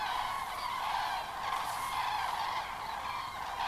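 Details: Common cranes arriving by the thousands on a hazy evening, 31 October 2015, at the Kelbra reservoir where they roost during migration rest; loud overlapping bugling calls merge into a steady, unbroken trumpeting roar.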